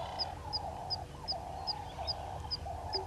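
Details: High, clipped pip notes repeated roughly every third of a second by three-banded plovers at a waterhole dam in Djuma Game Reserve, South Africa, at 08:35 on 05/06/20, with mid-pitched clucking calls running underneath throughout.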